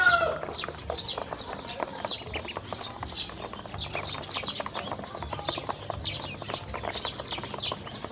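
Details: Hungry baby domestic ducks taken to eat feed and drink water: fainter high peeps repeated steadily from many ducklings amid rapid crisp pecking clicks, louder briefly at the start.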